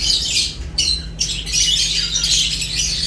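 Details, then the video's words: Lovebirds feeding, shrill squawking chorus with two brief gaps early on, then dense overlapping high chirps continue over a low steady hum. "Lovebirds unique colors eating and chirps sounds"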